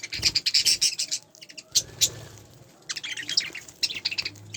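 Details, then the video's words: Spangle budgerigars calling close by: dense strings of bright, squeaky chirps and warbled notes in quick repeated bursts, pausing briefly before starting again. "طيور البادجي اسبانجل كلهم"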